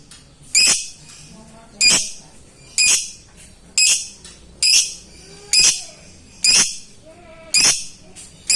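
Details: A lovebird summoning a rival, ngetik style, as a lure for birds lacking drive; around nine shrill, rasping chirps repeat nearly every second in a steady rhythm, with faint softer notes in the gaps.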